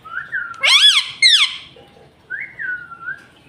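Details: Pet rose-ringed parakeet talking, apparently saying words such as "Mummy Papa": a short whistled rising-and-falling note, then two loud, harsh, speech-like syllables with rich overtones, ending in a softer drawn-out whistled phrase.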